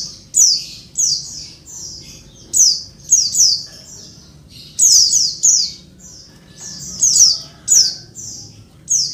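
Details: Calls of a female Oriental white-eye summoning males: a steady series of high, thin, falling chirps, often doubled or tripled, repeated roughly every second across the recording.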